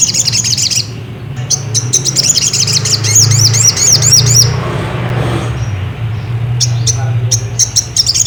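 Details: Sogon, the ruby-cheeked sunbird, in a lure song to get another bird singing: repeated high, arching chirps in a lively run of about three seconds, then scattered sharp high ticks, over a low continuous hum.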